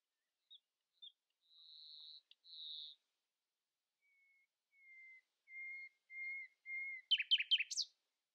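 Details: Early-morning common nightingale song meant to rise above rival voices: thin high whistles, then a swelling series of five pure, low, drawn-out whistles that ends in a sudden burst of rapid, harsh rattling notes.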